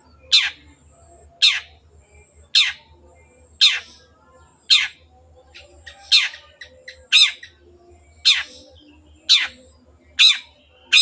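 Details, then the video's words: Lively long-tailed shrike, used as a lure for birds that have stopped singing: a series of harsh scratchy notes about a second apart, with thin sharp ticks between the later ones and a low hum underneath. "CENDET GACOR PANCINGAN MENGATASI BURUNG MACET ATAU BAHAN AGAR RAJIN BUNYI"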